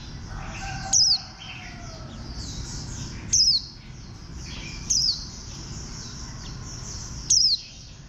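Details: A bantam-shaped warbling white-eye repeats a sharp, high, descending note four times at gaps of about one and a half to two and a half seconds, with a soft lower whistle early on and busy high chirping behind.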